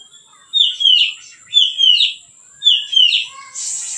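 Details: White-rumped shama singing calmly as a lure for training birds: three paired whistled phrases, each a slurred rising note, repeated about once a second, ending in a short harsh rasp.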